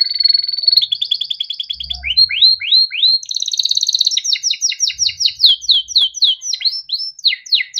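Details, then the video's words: Yellow Timbrado canary singing: steady whistled opening, fast trills, then a long run of repeated rising-falling swoops at a quick, even pace. "Timbrado canary singing beautiful melodic songs"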